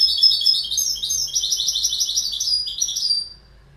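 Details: Goldfinch song: a rapid, high, tinkling twitter of bright buzzy notes running continuously for over three seconds, then fading out.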